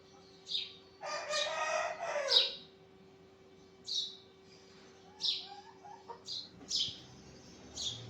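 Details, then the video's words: Morning sparrow chirps: a noisy, rasping burst of chatter near the start, then separate high cheeps spaced about a second apart, with a constant low hum underneath. "Sparrow chirping پرندوں کی تسبیح صوت صبح"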